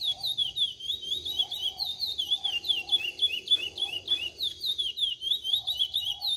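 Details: Chestnut-bellied seed finch singing in cascatinha style: fast, connected whistled syllables swooping up and down in a continuous rippling flow, with a faint lower tone in the background.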